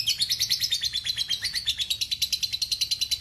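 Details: Lovebird giving a long chattering trill, called ngekek panjang, played as a tutor recording: a continuous, fast run of sharp, high, buzzy notes at about six per second, steady throughout with no pauses.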